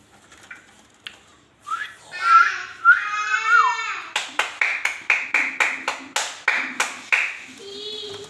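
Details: Indian ringneck parakeet talking in a small room: nasal, harmonic speech-like phrases with sliding pitch, then a rapid run of about a dozen harsh, sharp notes at roughly two per second, ending on a short nasal tone.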